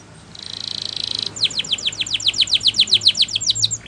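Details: Gloster canary singing for training. A soft buzzy trill swells for about a second, then gives way to a steady string of loud, descending chirped notes at roughly four per second.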